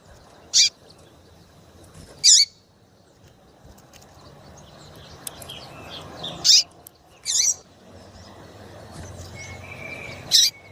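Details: Piadeira chirps of a female double-collared seedeater, used to make males sing: six short, bright, high notes scattered irregularly across ten seconds, with soft background rumble between them.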